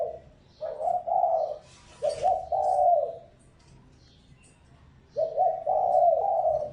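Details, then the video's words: Decoy spotted dove cooing to lure wild birds: paired soft low coos, a short stuttering phrase ending in a drawn-out coo, a long silent gap, then another stuttered phrase with an extended hollow coo. "Tiếng chim cu gáy mồi mp3 kích bổi"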